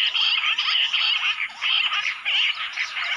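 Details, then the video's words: Jungle bush quail called in with a mobile phone pour out a loud, rasping, bubbling chorus in surges about every half second, many birds calling at once. "Bush Quail video jungali | mobaile se bulaya jungal Battair"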